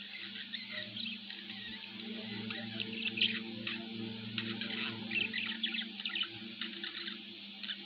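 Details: Pet budgerigar keeps up a busy warbling chatter of quick chirps, clicks and brief whistled notes, repeated irregularly, with a constant low background hum.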